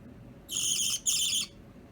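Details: Pet budgerigars in a multi-bird household, opaline violet, lutino and opaline light green, chain play; two harsh, grating bursts back to back, each about half a second, then silence.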